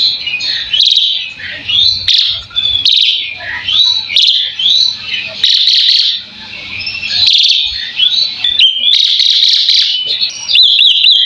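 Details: Full tutor-style song of an Asian pied starling, made to get other birds answering: dense, high, scratchy chatter delivered in bursts about a second long, with short silences between them.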